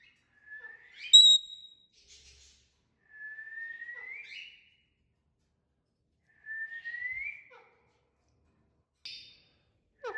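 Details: A parrot making natural sounds gives a sharp bright whistle, then three quiet, drawn-out rising whistles spaced about three seconds apart, each slurring gently upward, with long silences between them.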